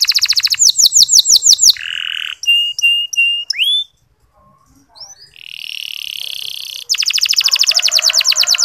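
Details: Varied canary song used to motivate male canaries to sing: quick chirp series, a buzzy note, short repeated pips, a rising slur, a pause, then a long dense trill.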